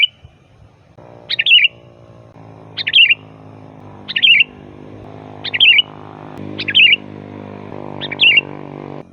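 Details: Sooty-headed bulbul giving full, loud song, a recording meant for calling bulbuls: six short liquid warbled phrases repeated roughly every one and a half seconds, against a steady low humming background.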